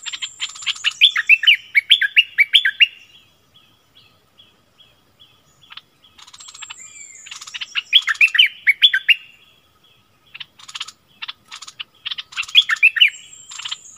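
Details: Streak-eared bulbul used as a decoy, recorded 16 February 2021, giving loud bursts of quick bubbly slurred notes separated by quieter pauses with faint ticking, then resuming its chattering phrases.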